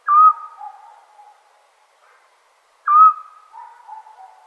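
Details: Eurasian scops owl calling on a summer night in Serbia: a clear, mellow whistled hoot that slides downward and fades, given twice about three seconds apart in an otherwise quiet night.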